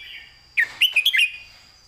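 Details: Red-whiskered bulbul kept in a cage delivers one crisp phrase of its master song, a quick run of four or five bright, looping whistled notes, clearly articulated, over a steady faint background tone.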